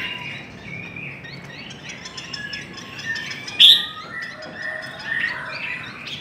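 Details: Contest singing of Chinese hwamei: dense, bright whistled phrases with fast trills and chattering notes, a sharp loud burst midway, and a couple of lower drawn-out whistles near the end.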